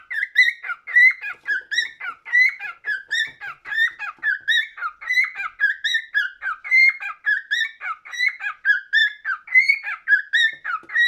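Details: Continuous cockatiel song, an unbroken chain of chirpy whistled syllables at a quick steady pace, each note bending up or down, with bright overtones throughout.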